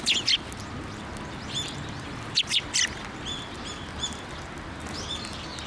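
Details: Sparrows coming close to be fed at a Tenmangu shrine on 15 December 2023; short bright chirps in small bursts near the start and again around the middle, with faint chirping from other birds and steady outdoor hum.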